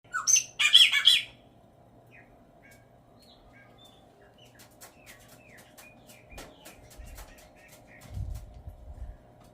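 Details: Green-winged saltator giving its normal song: a loud burst of rich, slurred whistled notes in the first second, followed by faint scattered short whistles over a steady low hum, with a soft thump near the end.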